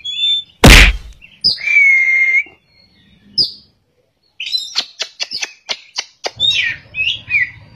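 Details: Oriental magpie-robin singing in ngerol and nembak styles: a loud thump, then a long, pure whistled note, a pause, and a rapid series of sharp clicking ticks with short whistles.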